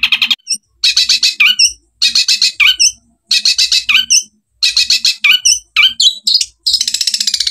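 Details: Long-tailed shrike in tembakan Gereja kuntilanak style, delivering strident staccato bursts of rasping notes mixed with piercing upward chips, ending in a fast buzzy trill.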